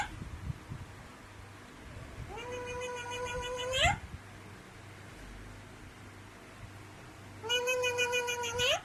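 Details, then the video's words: Alexandrine parakeet doing a cat voice: two long harmonic meows, each rising at the finish, with about four seconds of quiet between them. Faint hum and light rustling in the background. "Alexandrine parrot doing a cat voice😂😂 الدره الأمريكي يقلد صوت القطه"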